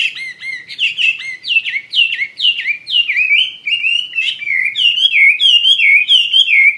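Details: Chinese hwamei singing lively and loud: a steady stream of repeated slurred whistles, each dipping then rising, about two per second, rich in overtones, close and clear with no other sounds.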